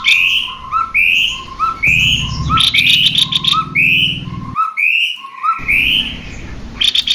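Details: Male and female cucak kopi songbirds, used as a lure to spur other birds into singing. Rising whistled notes are paired with soft lower chirps and repeat about once a second. Bursts of rapid buzzy ticking and a low hum come between them.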